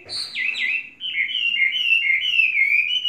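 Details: Chinese hwamei, a caged bird kept three seasons, gives two falling whistles and then a continuous, fast, wavering warble of bright notes.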